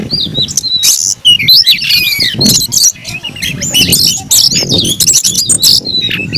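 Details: Oriental magpie-robin, kept caged, delivering aggressive fighting song: dense varied whistles, swooping slurred notes and harsh scratchy bursts, continuous and energetic, with low rumbling noise underneath.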